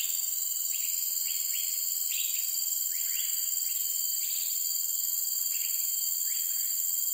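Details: Cream-vented bulbul, an uncommon resident of forest and forest edges in Singapore, gives short downward-slurred notes in loose bursts every second or so, set against a loud, steady, high insect chorus.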